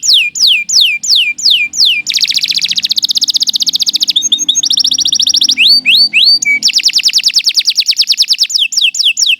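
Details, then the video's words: Canary singing long and steadily, a recording meant for tutoring other birds. Rapid falling whistled sweeps give way to dense buzzy trills, metallic repeated notes and upslurred chips, changing tour every second or two. "Kicau Burung Kenari II GACOR PANJANG Cocok untuk Masteran"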